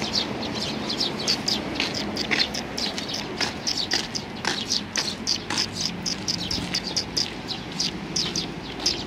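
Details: A group of Eurasian tree sparrows coming to a bench to be fed, 3 June 2020, chattering with many quick high chirps, some loud single notes standing out against constant low rumble.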